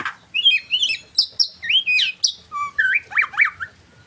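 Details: White-rumped shama song: a rich run of varied whistled and slurred notes, rising and falling phrases with sharp chips, delivered in quick succession over a quiet background.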